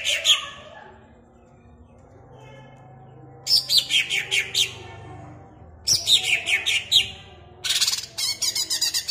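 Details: Caged greater green leafbird singing, played to excite other caged birds: bursts of rapid, rich chirping and warbled notes sweeping downward, each burst about a second long, separated by pauses, with a faint low hum beneath.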